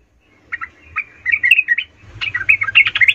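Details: Sooty-headed bulbul singing emotionally to stir up other bulbuls, giving lively, slurred whistled notes that swoop up and down, growing denser and busier in the second half, with a faint low hum underneath.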